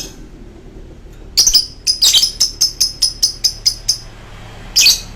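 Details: Lovebird in its long choking style, delivering a quick series of about ten shrill, clipped chirps after a quiet start, then a single harsh burst at the end.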